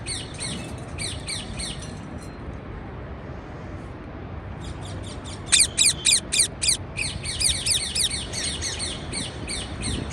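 Parakeets chatter in a steady stream of quick, high chirps, with a burst of louder, sharp squawking notes midway over a low background rumble.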